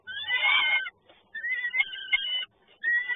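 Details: Peregrine falcon recorded in Toruń, Poland, on 30 May 2019: harsh, scratchy, rasping calls with strong harmonics, a long burst followed by two more drawn-out grating calls separated by short pauses.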